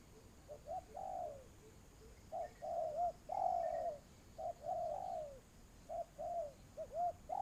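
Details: Spotted dove used as a trapping lure, cooing repeatedly in low, soft phrases of short notes and longer falling coos, several phrases over the recording with quiet background.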